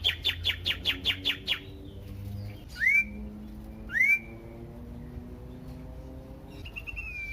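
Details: Loud, varied Common iora song meant to provoke other ioras to sing: a rapid burst of repeated clipped notes, two hooked upswept whistles about a second apart, then a drawn-out level whistle.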